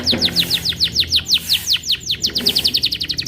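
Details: Canary song as a run of bright, sharply falling whistled notes, about six per second, slightly uneven in pace, with a quicker, denser burst near the end; faint low background hum.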